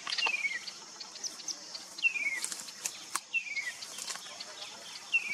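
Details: Chestnut-capped babbler (Timalia pileata) in Maguri Grasslands, Assam, giving four short, clear downward-sliding whistles about a second apart, over a steady high insect hum and light rustling.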